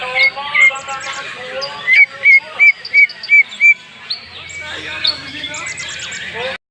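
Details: Song of a greater green leafbird from Banyuwangi, the varied isian mewah style: a string of six or seven clear whistled notes evenly repeated, framed by scratchy chatter and a high rattling burst.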